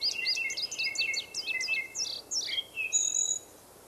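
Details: Indigo bunting in a forest setting, giving a hurried series of high, thin downslurred chirps, often doubled, ending in a few longer notes and a short high whistle before quiet.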